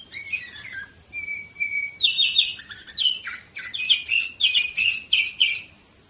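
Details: Canary from Varna, Bulgaria, 2018, in full song: it opens with twittering chirps and two long steady whistles, then runs into loud, rapid, buzzy rolling phrases repeated several times per second until the end.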